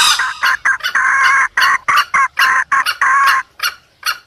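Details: Junglefowl call used to lure wild junglefowl: a run of short, harsh clucking bursts with some longer, drawn-out notes, loud and irregular over about four seconds.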